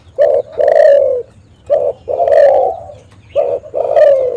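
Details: Spotted dove calling as a lure to prompt other doves: three loud phrases, each a short coo followed by a longer, slightly falling, husky coo, evenly spaced over a faint low hum.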